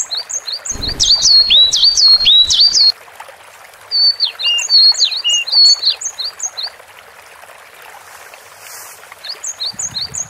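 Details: Gacor song of a Cinereous tit: a fast run of sharp whistled note pairs, then a quieter second burst of bright chips after a pause, and short repeated notes near the end.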